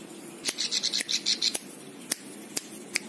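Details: Plain prinia, kept as a master bird for training other songbirds, giving a short string of buzzy, evenly spaced notes followed by sharp clicks in a quiet room.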